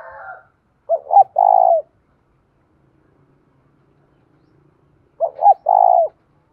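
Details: Decoy spotted dove cooing to entice wild doves nearby. The phrase comes twice, over four seconds apart: a quick double note and then a long, low, trembling coo. A faint wavering coo is heard at the very start.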